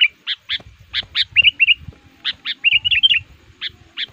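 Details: Sooty-headed bulbul used to lure wild males, singing actively and pressing rivals: sharp chirps alternating with short warbled fluty phrases, irregularly spaced, with faint low thumps.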